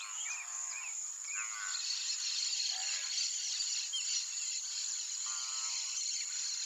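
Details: Brazilian teal giving about four short, nasal, buzzy calls at uneven intervals, over a steady high-pitched insect drone.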